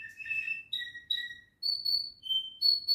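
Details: Home canary giving a few clear whistled notes, the first buzzy and doubled, then long pure tones sliding down and rising again, with short gaps between them.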